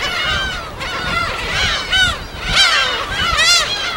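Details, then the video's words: Gulls at a natural colony on an uninhabited island in the West Sea, recorded on site: repeated harsh, downward-curving mewing cries from several birds overlapping, with a steady wash of waves underneath. "갈매기소리 무인도"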